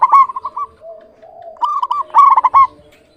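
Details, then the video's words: Clear, quick staccato cooing from a local zebra dove, two trilled phrases with a softer hum between them. "Perkutut lokal GACOR suara jernih BAGUS MEMIKAT"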